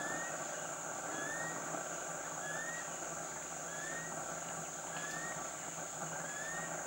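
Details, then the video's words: Rufous-collared kingfisher in Khao Luang National Park, Thailand, giving thin rising whistles repeated roughly every second and a half over a loud steady insect drone and dense forest background. "Rufous-collared kingfisher"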